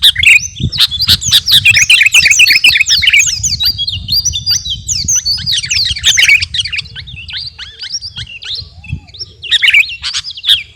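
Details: Captive kutilang garuda, a sooty-headed bulbul, singing a training song for other birds: busy overlapping chirps and whistled slurs, then thinner, scattered notes toward the end, over a constant low rumble.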